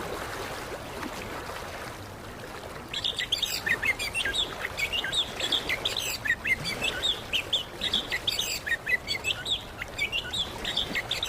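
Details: Anis kembang (orange-headed thrush) from Indonesia, used as singing therapy for a silent bird: quiet at first, then a sustained, rapid warbling stream of varied whistled notes from about three seconds onward over background hiss.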